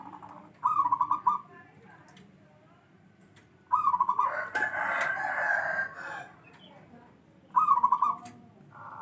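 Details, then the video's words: Local perkutut (zebra dove), bedah karang type, repeating three rapid trilled coo phrases roughly every three to four seconds, while a rooster crows loudly in between against faint background noise. "Perkutut lokal alam katurangan bedah karang"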